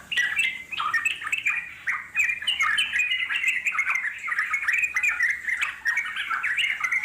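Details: Wild yellow-vented bulbul in lengthy continuous chattering song to make wild birds reply; fast, throaty warbles and chirps tumbling over each other without pause.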